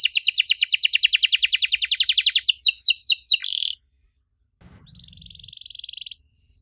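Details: Canary song intended to prompt young canaries to sing back: a long rapid trill of falling notes speeding into sweeping phrases, a buzzy burst, a pause, then a softer sustained buzz.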